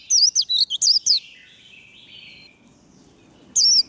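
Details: High, fast, slurred whistles from a warbling white-eye singing the líu fighting style, a song for firing up birds, with about six notes at the start, a faint lower warble, then a brief fresh burst at the end.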